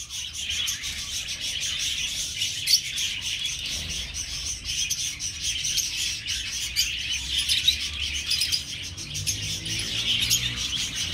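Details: Budgerigars living as a colony in an aviary chatter nonstop, a steady blend of high chirps, warbles and squeaks for the whole stretch.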